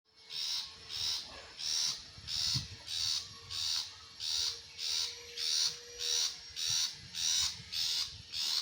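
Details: Long-tailed shrike singing: a steady run of harsh, buzzy, noisy notes repeated about every 0.6 seconds, each short and hissing, with a faint low hum underneath.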